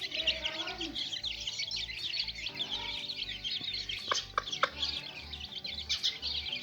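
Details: A group of little chicks at play: a constant bed of high, scratchy cheeping, a few sharper clicks near the middle, and a regular low throbbing hum below.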